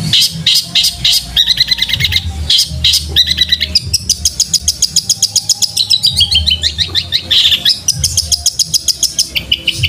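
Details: Long-tailed shrike training recording in a fighting-sparrow style with fast rolls, meant for caged birds to copy: rapid chattering notes and dense buzzy rattles, ending in a quick series of sharp repeated chirps, over a low droning hum.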